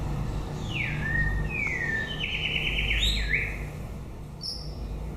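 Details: Song of a white-rumped shama late in the breeding season. Downslurred whistles lead into a buzzy trilled phrase and a quick upward flourish, with a few thin high notes after. Low background rumble throughout.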